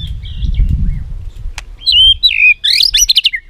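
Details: Song of a white-rumped shama meant to train other shamas, opening softly over low rumbling noise, then clear looping whistles and a quick run of high rising notes.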